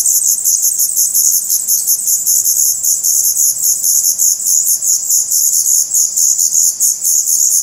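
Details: Young black redstarts in their nest, Portugal, mid-May 2020, filmed at close range; a steady wash of shrill, high-pitched twittering runs throughout, with rapid overlapping pulses and no pause.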